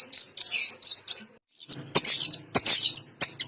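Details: Long-tailed shrike lure song for silent birds: thin high buzzy notes in short bursts, then scratchy harsh phrases over a faint low hum.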